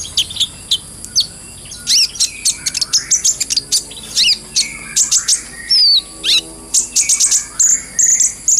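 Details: Brown-throated sunbird masteran song, full ngobra and gacor, clear-voiced; dense runs of piercing high chips and downward-sweeping notes, building into rapid chattering bursts with a brief slurred whistle near six seconds.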